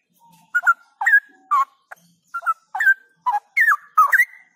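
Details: Straw-headed bulbul kept as a songbird and trained outdoors to sing louder and more continuously. It gives rich, fluty whistled phrases with swooping rising and falling notes, about a dozen bursts in quick succession, against a quiet background.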